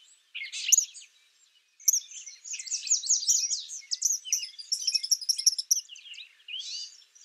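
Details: Eastern kingbird (Tyrannus tyrannus) in the wild, pouring out high, rapid, buzzy twitters and sputtering zigzag notes in a sustained run, ending with a rising squeaky phrase.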